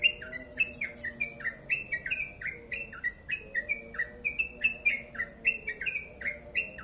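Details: Yellow-vented bulbul in dense 'ropel panjang' delivery: rapid alternating high and lower chirps, each falling, rolling on continuously with faint low background hum.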